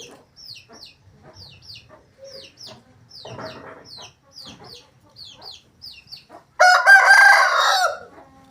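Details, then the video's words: A loud, hoarse Aseel rooster crow of about one and a half seconds closes the recording. Before it, small birds give repeated short chirps in pairs and there is some soft rustling. "Asil Rooster Sound Effect |Aseel Roosters crowing Compilation | aseel murge ki awaaz"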